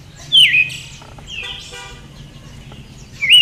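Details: One full call from a female Siberian thrush, a sharp descending note curling up at its end, and a second call beginning as the clip closes. Soft chirps and low rumble sit between them.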